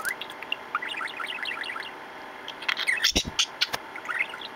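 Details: Pet budgerigar, a male, chatting close to the camera while playing with its owner: rapid warbled chirps rising and falling around the first two seconds, then a few sharp clicks and bursts, with more soft chatter near the end.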